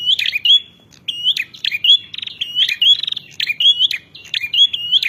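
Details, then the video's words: Shrill, energetic bar-winged prinia song aimed at rivals: strident chirps and rattling trills strung together after a brief early silence, phrases recurring about twice per second. "Suara Prenjak Narung Masteran"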